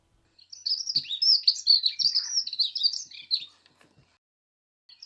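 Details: A dunnock in a dawn chorus on a UK smallholding sings one fast, high, loud, squeaky warble like a squeaky gate, lasting about three seconds; a few faint low knocks are heard in the background.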